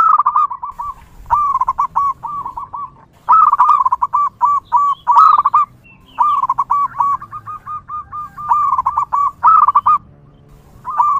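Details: Zebra dove singing in the wild, a local bird whose song is used to lure others of its kind: several long phrases of fast, bouncing, repeated cooing notes, some phrases rising to louder accented clusters, separated by short quiet gaps.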